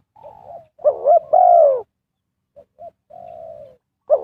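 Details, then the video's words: Spotted dove used to call wild birds into a trap: a gentle coo, a throaty doubled note, then a loud, long coo sliding down, followed by two short soft notes and a flat trailing coo. "Cara Pikat Tekukur memanggil Burung Liar,Bẫy cu gáy bằng mồi trồn"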